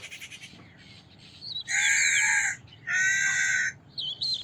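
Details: Harsh, nasal crow caws, two long rasping calls in quick succession, with soft high whistled chirps of small birds before and after.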